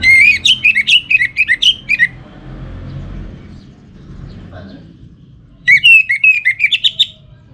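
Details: Orange-headed thrush giving a pancingan lure song: two bursts of rapid, ringing whistled notes repeated several times a second, separated by a quiet stretch with faint background noise and murmuring.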